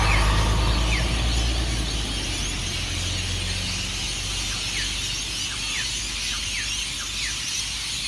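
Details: Rainbow lorikeets in their hundreds at Burleigh Heads on Australia's Gold Coast, pre-dawn departure from Norfolk Pine roosts; continuous shrill chatter with repeated falling squeals, over a heavy low rumble that fades after the opening seconds.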